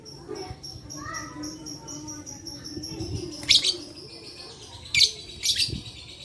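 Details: Lovebird sound for prompting lazy lovebirds to start singing, dated 11/4/21; a steady thin high tone at first, then loud harsh chirp bursts around the middle and later on, over a low background hum.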